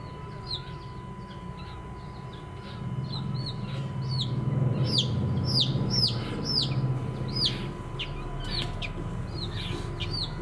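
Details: Colourful baby chicks of domestic chickens peep repeatedly, giving sharp descending chirps from several birds over low background rumble and a steady tonal hum.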